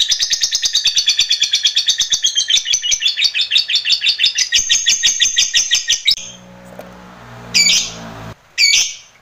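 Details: Lovebird master recording for training other lovebirds: a long, fast ngekek trill of harsh chattering notes lasting about six seconds, followed by a low hum and two squawks.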